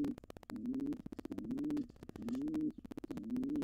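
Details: Wild pigeons, an intruding pair trying to take over a nest box after the resident pair's nestling fledged; low, soft, rolling coos, each swelling then falling, repeated about every second, with faint clicks and scuffling between phrases.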